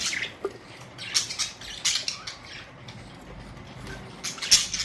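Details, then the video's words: Budgerigars, colourful parrots recorded April 19, 2023, making sparse sharp high squawks and clicks in short bursts separated by quieter gaps, with a louder burst near the end. "Budgies beautiful colourful parrots"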